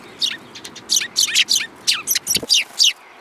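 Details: Sparrows crowding onto a hand for food at a Tenmangu shrine, Japan, 3 May 2022; dense, loud run of high descending chirps, about three per second, with one brief low thump midway.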